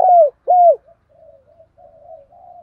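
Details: Lure spotted dove calling to attract wild doves: two loud, low, mellow coos in quick succession, each sliding slightly downward, followed by a run of much softer, quieter cooing notes.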